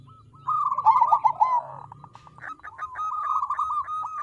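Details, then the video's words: Crossbred zebra dove song, played as a lure to get other doves singing: a rolling, trilled mid-pitched coo phrase in the first half, then a steady, softer purring trill with faint clicking notes. "Suara Perkutut Krosing Untuk Pancingan Agar Mau Bunyi"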